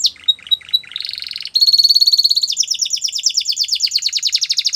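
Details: Training song of a Spanish Timbrado canary, opening with a few scattered chirps before breaking into long rapid metallic trills, first steady and then a quicker stuttering roll.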